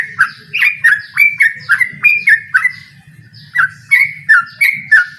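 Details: Trucukan or yellow-vented bulbul calling out a rival in rapid ropel song: bright, liquid whistled phrases in quick succession, a brief pause midway, then the run of notes resumes.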